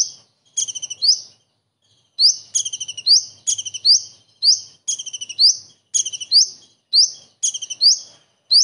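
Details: Common iora singing a song filled with imitations of a kingfisher's distinctive calls: roughly ten phrases, each a quick stuttered run of sharp high notes ending in a bright rising slurred whistle, separated by short pauses.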